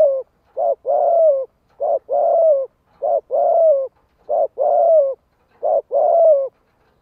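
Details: Decoy spotted dove, 'thổ đồng' voice, cooing to lure wild doves. Steady series of paired coos, a clipped note followed by a drawn-out, gently falling hoarse coo, repeated about every second and a half.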